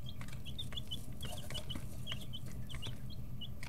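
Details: A noisy brood of 11–13-day-old chicks in a brooder, pecking and stretching: repeated high peeps in quick bursts, frequent crisp clicks, and a persistent low hum beneath.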